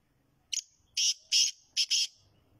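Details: Black francolin in Pakistan: one loud, harsh, grating phrase of five bursts, a short opening note, two longer rasping notes, then a quick closing pair, over a quiet background.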